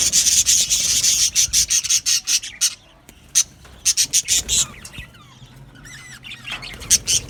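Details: Aviary of Australian budgies singing: a run of sharp, high chirps about three a second, a lull with faint squeaky twitters, then scattered loud chirps again.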